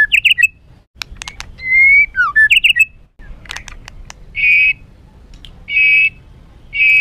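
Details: White-rumped shama in rough, heated song used to excite other birds: quick chirpy bursts and a slurred whistle, then three loud, level, harsh whistled notes about one and a half seconds apart.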